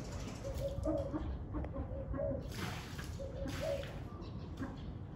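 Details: Gentle low coos of a spotted dove, three short phrases spaced over a few seconds, heard against heavy wind noise on a very windy day.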